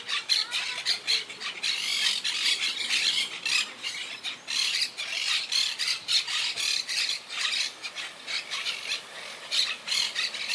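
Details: A wild Monk (Quaker) parakeet colony living high in trees squawks nonstop in harsh, high, grating, overlapping screeches in rapid bursts with no quiet gaps, without alarm calls; the colony is regrouping after losing about half its birds to Hurricane Irma in 2017.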